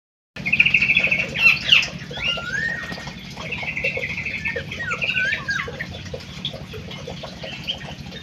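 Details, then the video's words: Munia singing a series of thin, buzzy trills with gliding whistled slurs, loudest in the first two seconds and then softer, over a steady low hum. "EMPRIT KJ ISTIMEWAH MENGGEMASKAN"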